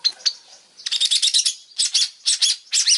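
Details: Long-tailed shrike in lively song: dense, grating, rattling chatter delivered in short clusters of rapid scratchy notes, with brief gaps between the bursts.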